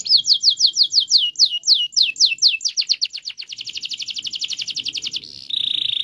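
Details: Canary in full song, used to encourage silent canaries to sing. Steady repeated downswept whistles accelerate into a long, dense rolling trill, then switch to a flat buzzy phrase.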